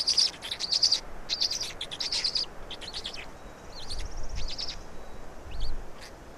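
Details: Black storks feeding in Estonia, afternoon of 16 May 2019: a run of loud, rapid squeaky chirps at the start, then quieter scattered chirps and a few thin upslurred whistles, with occasional low thuds.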